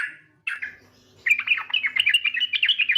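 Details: Female yellow-vented bulbul calling the male: a short note, then a tumbling jumble of fast chattering, bubbly notes rising and falling, continuing without pause to the end.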